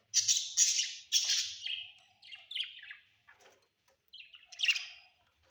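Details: Budgerigars kept at home: loud raspy chirps at the start fade into softer scratchy notes, then a final sharp squawk, with a faint thin whistle in the background.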